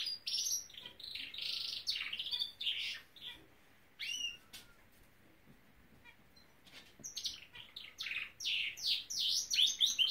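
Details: Singing Norwich canary kept as a pet, giving bursts of fast chattering trills and sweeping whistled notes separated by short pauses, with a quiet gap mid-phrase before the song resumes loudly.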